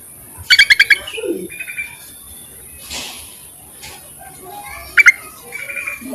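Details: Calling Yellow-vented bulbul used as a lure for males. Two bursts of rapid, bright chattering notes about four seconds apart, each followed by softer short trills.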